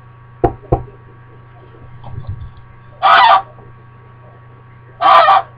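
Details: Pet female American Buff goose kept indoors in a diaper harness, upset when her owner leaves: two loud harsh honks about two seconds apart, preceded by a pair of short clicks and faint low murmurs.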